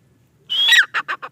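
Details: Male grey francolin calling: a loud harsh note sliding downward, then three or four short rhythmic grating notes in quick succession, all in a brief burst against a quiet background.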